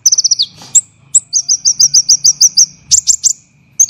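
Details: Olive-backed sunbird training recording for songbirds: a fast trill falling at the end, scattered chirps, then a steady series of about ten clear upslurred notes, followed by harsh chirps.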